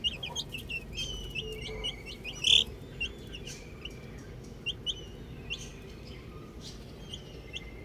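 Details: Chicks at play with a ball give spaced high peeps and a few drawn-out whistled notes, with one louder sharp chirp near the middle and quieter calling afterward.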